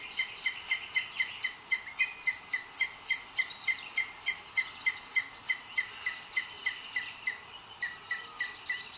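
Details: Booted eagle pair at the nest, Sierra de Guadarrama Natural Park, Spain, 2 June 2022; the male delivers food to the female, on a live camera. A long run of high, piercing notes at roughly three to four per second, slightly uneven.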